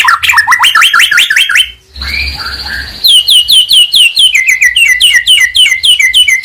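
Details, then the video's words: White-rumped shama (murai batu) from Medan in full song, used to rouse other birds to sing: fast repeated whistled upslurs, a brief buzzy pause, then a long steady series of rapid down-slurred whistled notes. "100% Ampuh mancing emosi Murai Batu Gacor"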